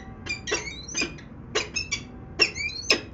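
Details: Peregrine falcons in Venlo on 19 February 2021 at 14:50: harsh, grating calls in short bursts, about two per second with uneven gaps, against a faint low hum.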